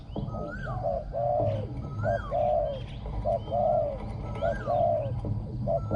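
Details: Decoy spotted dove with a small ringing voice, calling to attract wild doves; paired short-then-long coos in a steady rhythm, faint rising whistles from other birds and low background rumble.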